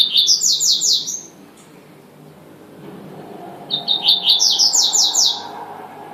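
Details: Two high song phrases from a double-collared seedeater, each opening with sharp chips and running into a rapid, ringing trill, separated by a few seconds of near silence.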